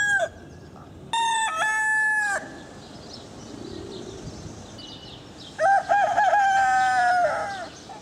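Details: Repeated rooster crowing: the end of one crow, a second crow with a stepped start and flat held note, then a third with wavering syllables drawn into a long, harsh tone. Low background noise sits between them.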